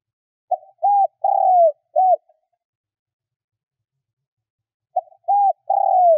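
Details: Spotted dove decoy cooing to draw wild doves in: two low coo phrases about four seconds apart, each a soft lead note, a short arched coo, a long drawn falling croo and a clipped final coo, in silence.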